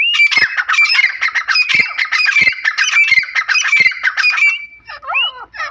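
Grey francolin giving loud, harsh, grating calls in a dense, rapid burst for several seconds, then a few shorter rising notes.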